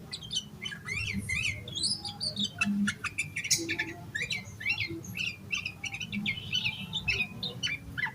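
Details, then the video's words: Yellow-vented bulbul in agitated full song rich with fill-in phrases, meant to prompt other bulbuls to sing; dense rapid chatter of squeaky notes and rising slurs continues throughout with hardly a pause, over steady low background noise. "Suara Burung Trucukan Gacor EMOSI KOSLET Full Isian Buat Pancingan Burung Trucuk Agar Cepat GACOR"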